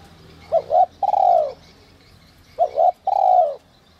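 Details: Spotted dove singing in the whistle-voice style that excites wild doves: two clear phrases, each a quick two-note lead-in followed by a sustained, gently falling coo. Quiet background chirping.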